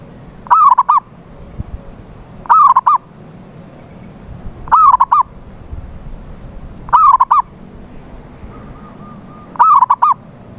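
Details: Zebra dove cooing used as a lure to make a silent dove sing: five hollow phrases at steady intervals of about two seconds, each a slurred note then stuttering coos, with a faint level tone before the last.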